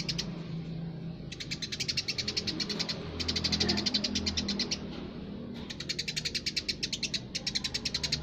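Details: Chatty Eurasian tree sparrow giving repeated bursts of quick, high, ticking chirps, roughly a second or two each, against low-pitched background noise.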